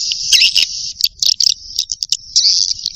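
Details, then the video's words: Young swiftlets give a continuous high, buzzy trill broken by sharp clicks and short chirping bursts, all of it very high-pitched. "Suara walet ngeri sedap, Walet Remaja"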